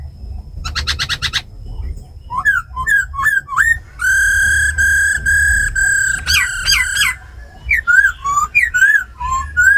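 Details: Tame laughingthrushes, a female giving ro khẹt calls and a black laughingthrush singing wild-style song to rouse other birds. Harsh rapid buzzy burst, then slurred rising whistles, long sustained rich whistles, a rattling series and more whistled notes.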